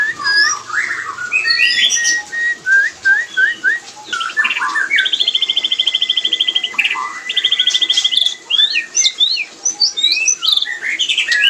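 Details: Mating vocalisations of a white-rumped shama, played to stimulate breeding in other shamas: bright whistled notes, quick chirps and two long fast buzzy trills, with a steady rhythm of varied phrases throughout.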